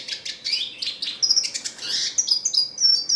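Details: Red siskin in energetic, continuous song: a rapid, high twittering of chirps, short trills and thin whistled notes, some falling and some level, running without pause for about three seconds. No other sounds are clear.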